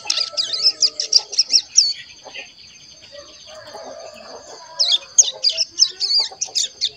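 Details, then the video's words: One-month-old caged ciblek gunung chick learning to sing, trained on sunbird and canary recordings: quick high twittering trills, a pause filled with soft lower murmurs, then renewed rapid chirping. "Cigun Paud Ngeriwik Umur 1 Bulan Lebih Aktif Ngeriwik"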